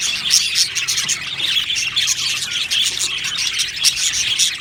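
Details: Budgies kept in an aviary colony give a thick, constant chorus of high chirps and twitters, with brief louder flurries every second or so amid the dense chatter.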